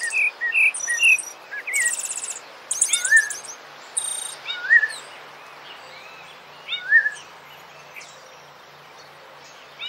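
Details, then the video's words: Rufous-bellied thrush (sabiá-laranjeira) song for training birds: opening whistled notes, then loud high buzzy chattering bursts from another bird, followed by lone slurred whistles spaced about two seconds apart. "SABIÁ - CANTO PARA TREINAR SEU PASSARO"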